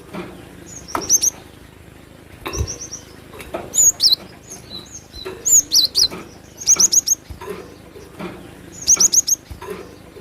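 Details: Cinereous tit in lively song, with high, thin whistled phrases of rapid three- to four-note bursts about every second or two, mixed with a few slurred twisting notes and scattered dull knocks in the background.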